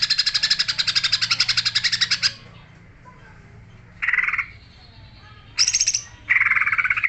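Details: Greater green leafbird delivering a rapid, dense series of high chirps for two seconds, then silence broken by short harsh bursts and a high, thin rattling phrase.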